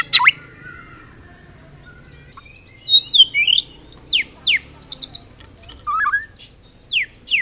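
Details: White-rumped shama in a full-repertoire training recording: a sharp opening note, soft warbling, then quick high, scratchy chatter and downward-sweeping whistles, with brief pauses between bursts.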